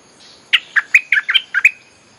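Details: A bulbul used to lure wild birds gives a short bubbly phrase of about seven quick, liquid chirps.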